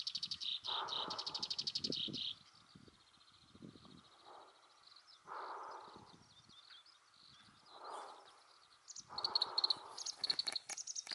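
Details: Black-browed reed warbler singing at Wakka Primeval Flower Garden, Hokkaido, Japan, in June 2020, also catching insects; a fast, high chattering run of repeated notes opens, then quieter phrases, and a rapid sharp burst returns near the end, with low muffled rumbles between.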